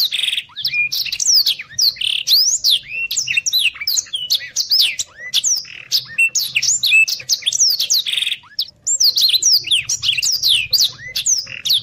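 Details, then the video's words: Black-throated canary sings a fast, dense, nonstop warble of thin rising and falling whistles, barely pausing, with a faint low hum behind. "Suara blackthroat gacor speed rapet"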